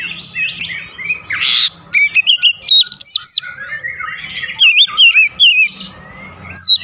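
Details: Kacer, the Oriental magpie-robin, in loud 'gacor' song: scratchy buzzy notes open into a quick series of rising and falling whistled phrases, with short pauses between bursts.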